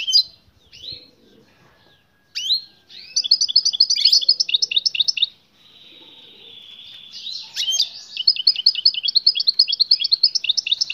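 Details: Female European goldfinch chattering, said to push the male to mate and to draw his attention so he starts singing: rapid, tinkling high twitters in liquid bursts, thin buzzy notes between phrases and a few sharp clicks.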